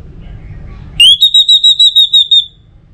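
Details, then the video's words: Orange-headed thrush, used to encourage other birds to sing, gives a bright, high, level whistle broken into about eight quick even pulses. It lasts roughly a second and a half over soft low background noise. "ANIS MERAH Untuk Suara Pancingan Burung Agar Rajin Bunyi Ngeplong"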